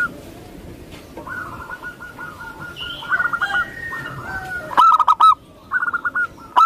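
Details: Local zebra dove (perkutut lokal) from Indonesia singing rapid bursts of soft, rolling cooing notes, with a quieter dove answering through a steady hiss of background noise. Two loud, sharp phrases come near the end.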